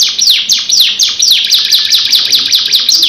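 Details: Canary singing bright, high notes that sweep downward, repeated about twice a second in a rolling sequence.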